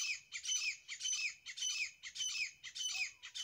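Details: Grey francolin pair calling: loud, harsh, squeaky high notes in rapid repeated bursts about twice per second, continuous throughout with little background sound.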